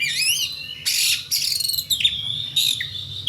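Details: Kacer, the magpie-robin, calling in a lively full-play song: high whistled slurs and loud harsh buzzy bursts, varied phrases packed closely over a few seconds, with a low hum underneath.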